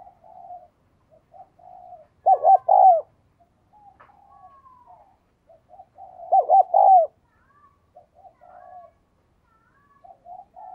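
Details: Spotted dove cooing: two loud phrases of short cooing notes around 2.5 and 6.5 seconds, with quieter distant cooing between them.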